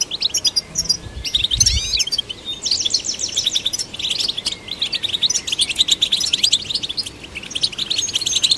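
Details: European goldfinch singing to stimulate other goldfinches. A rapid liquid twittering mixes chattering trills with a few clear upslurred whistles early on, and a soft low thump is heard near the start.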